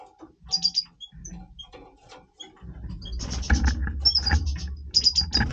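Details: European goldfinch of the Major form singing its breeding voice: scattered high thin notes early on, then a dense run of buzzy, twittering bursts with sharp high tones, over steady low hum and clicking.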